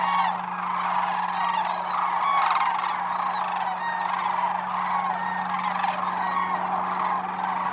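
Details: Wintering sandhill crane flock at Whitewater Draw Wildlife Area in Arizona, an unbroken clamor of rattling bugle calls from numerous birds, a few louder bursts near the start and end.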